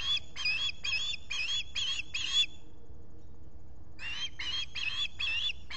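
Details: Osprey calling at a nest in the Finger Lakes, US, on 23 July 2021 with a visitor present, picked up by a solar nest camera: rapid sharp whistled chirps, six in a row, a pause, then five more, over faint low background hum.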